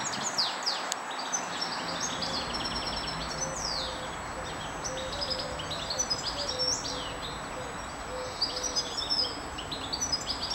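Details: Several European goldfinches in the park at Aguadulce, Almería, twitter in quick, tinkling, high chirps and buzzy trills over distant traffic hum; recorded 24 April 2013, around midday, between 1 and 2:30.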